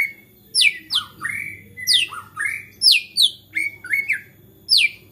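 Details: Agitated white-rumped shama singing, a display said to get other shamas singing; loud high sharply falling whistles alternate with lower slurred notes, repeated about twice a second, over a low background hum.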